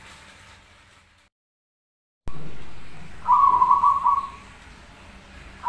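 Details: Zebra dove, a prolific singer on a masteran tutor recording: after an abrupt cut of silence, a single rapid, staccato, trilled coo phrase lasting under a second.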